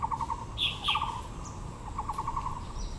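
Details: Taiwan blue magpie, Yangming Park in Taipei's Yangmingshan National Park with azaleas: rapid clicking rattles at start and end, two sharp higher squeaks in the middle, a light background murmur.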